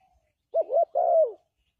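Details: One cooing phrase from a spotted dove, used as a lure to trap doves: a quick two-part hoot slurring into a drawn-out, gently descending coo. Clean and quiet behind.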